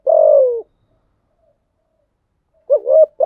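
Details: Lure spotted dove cooing to prompt other doves: a long, slightly falling coo, a pause, then a short wavering note beginning the next phrase.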